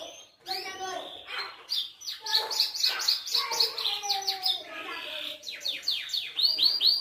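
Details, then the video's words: Belgian canary in distinctive song: opening low whistled notes, then quick sequences of descending slurred syllables building into fast repeated high trills, steady and loud throughout. "canto diferenciado desse canário belga"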